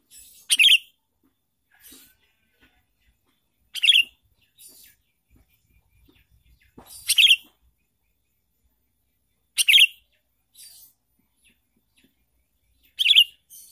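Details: Sooty-headed bulbul sounding for a trapping lure: brief, bright, gurgling phrases repeated roughly every three seconds, each followed by a softer echo-like note, over a quiet background with faint knocks.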